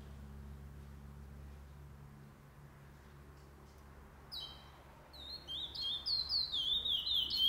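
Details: Chestnut-bellied seed finch in a singing tournament, 8 November 2020: after four seconds of quiet low hum, clear whistled song begins, bright sliding notes building quickly into a fast repeated phrase.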